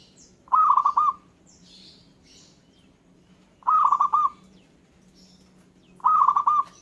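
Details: Three pulsed, bubbling coo phrases from a local zebra dove, spaced about three seconds apart, while other birds reply with high chirps and short twitters.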